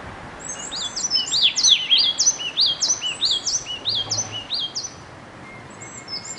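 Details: A bird singing alone: high, bright down-slurred whistles repeated several times a second in a lively string, then a pause and a few more notes, over steady background hiss.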